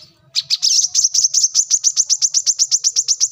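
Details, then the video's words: Brown-throated sunbird (kolibri kelapa) launching into a rapid, steady trill of sharp, high notes, roughly five per second, sustained for three seconds. "kolibri kelapa | manggar | wiceh | korlap gacor"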